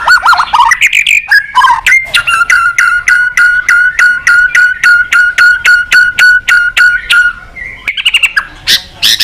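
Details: Murai batu, the white-rumped shama, singing in full voice while calling a rival: a rapid run of sharp repeated notes, roughly three per second, holding steady across several seconds, framed by bursts of varied whistles at the start and end.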